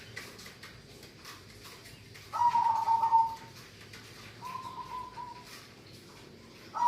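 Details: Local zebra dove in active song: a loud, fast-pulsed coo, a softer smoother phrase, then the start of another, with faint ticking behind.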